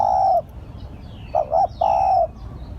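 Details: Spotted dove lure call, one long steady coo followed by two quick clipped coos and another drawn-out coo, low and mellow, with light background noise.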